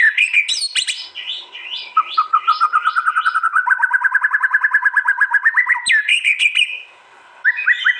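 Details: Murai batu, or white-rumped shama, in East Java, Indonesia, a mastering recording of songs joined together from an Android phone, aggressive contest song: loud varied whistles, then a long rapid trill of repeated notes, a brief pause, and bright warbling phrases.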